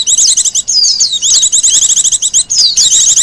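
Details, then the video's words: Japanese white-eye, a wild bird whose song serves for luring and as a master song, pours out a continuous high twitter of quick chirps mixed with sliding whistled notes. "Suara burung pleci liar,cocok buat pikat dan masteran."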